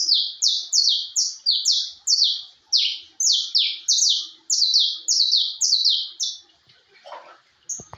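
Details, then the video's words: Canary of porte type, kept in a cage, singing hard in fibra style: a rapid train of loud buzzy sweeping notes repeated nearly twice a second, then a short pause and a brief high whistle, some faint clicks. "canário de porte cantando muito"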